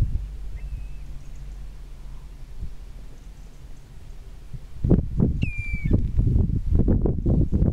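Common Redshank gives two clear, high whistled notes, one faint and one stronger that dips slightly, over heavy low rumbling wind and thumping noise.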